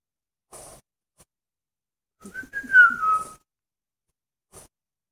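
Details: Pet African grey parrot copying animal sounds with a single smooth whistle that rises slightly and then slides gently down, lasting about a second, framed by faint soft clicks before and after.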